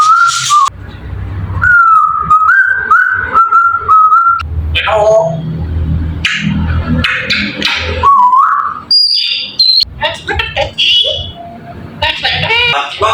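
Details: A talking African grey parrot runs through a varied string of clear whistles, squeaks and speech-like mimicked phrases, shifting rapidly in pitch with brief pauses between bursts.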